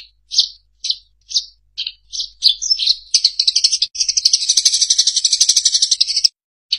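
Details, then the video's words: Eurasian tree sparrow recording used as a master track for training songbirds to imitate. Separate high chirps come roughly every half second, then quicken into a dense, continuous rattling twitter before stopping abruptly. "Audio Masteran Burung Gereja"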